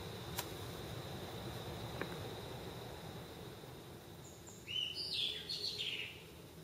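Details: Brown-eared bulbul singing early in the morning, around 4:20, on a home balcony where it sings every morning: a brief burst of shrill, sweeping squeaky notes near the end, after several seconds of steady background hum.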